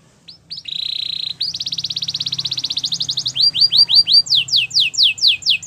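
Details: Belgian canary singing for training, starting with a steady buzzy trill and speeding into rhythmic repeated notes, then loud downward-swept whistles about three per second.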